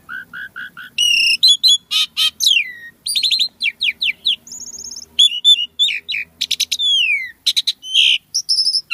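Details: ['Javan pied starling singing a rich, varied song that opens with four evenly spaced mellow whistled notes, then bursts into loud rasping chatters, squeaks, buzzy trills and falling whistled slurs, with a faint low hum beneath.']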